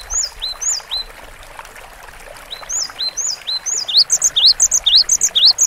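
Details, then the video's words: Cinereous tit song opening with spaced, falling two-part whistles, then speeding into quicker rising upslurred phrases near the end, roughly two each second; quiet pause in the middle. "GELATIK BATU GACOR DURASI PANJANG MASTERAN SUARA BURUNG KECIL"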